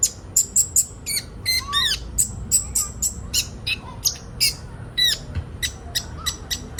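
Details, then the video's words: Sunbird used to get young birds singing: busy, rapid high chips mixed with squeaky downslurred notes and short twittering runs, nearly continuous throughout. "Burung kolibri ninja bahan ombyokan cepat gacor"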